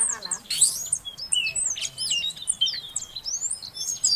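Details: Calling female Oriental magpie-robin meant to trigger song in a silent male; thin rapid high whistles and chirps, fairly quiet against steady background noise, with a brief lower rasp at the start.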